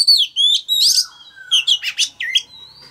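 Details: Male Oriental magpie-robin singing to stimulate a young bird to sing: rapid, sweet whistled phrases mixing clear slurred notes and harsher buzzy chirps, delivered in quick succession.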